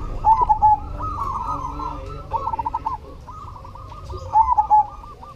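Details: Zebra dove, cemani variety, in full song: bursts of quick stuttering coos ending in louder rolling phrases, other doves cooing alongside, low background hum.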